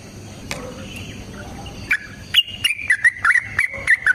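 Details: Yellow-vented bulbul fighting song, a lure for training birds: quiet hiss and a few faint notes at first, then a string of sharp, clipped whistled notes repeated roughly every third of a second.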